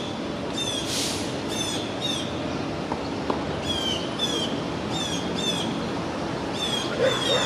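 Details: In an East Village park in New York City, two blue jays pester a two-month-old red-tailed hawk; scratchy jeering calls sound in irregular bursts of two or three, with a brief rushing noise and distant city hum.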